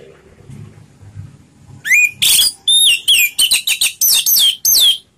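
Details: Orange-headed thrush (anis merah) singing slow ngeplong style: a long rapid string of about eleven loud, bright whistles and chirps, some rising and some falling, following a brief quiet start.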